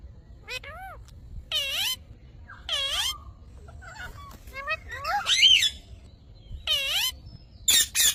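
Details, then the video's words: Parrot talking: several drawn-out, nasal, wavering voice-like notes with downward sweeps, mixed with softer chatter and a final burst of harsh squeaks. "Cute parrot talking funny parrot sounds"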